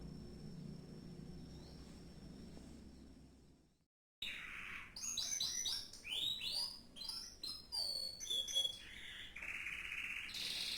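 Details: Canary song starting after near silence with a faint steady high tone, then bursting into rapid trills, downward-sweeping notes and buzzy rolls, with brief pauses between phrases.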